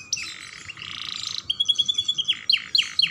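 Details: Singing young canary, kept to stimulate other canaries, giving a buzzy warble, then a series of steady, pulsed high notes and three sharp downslurred whistles.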